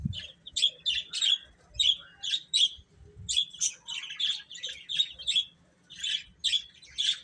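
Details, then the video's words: Chicks give a steady run of sharp, high, clipped peeps, roughly two or three per second, several birds overlapping, with a quiet background. "Cute Chicks Chirping Sounds"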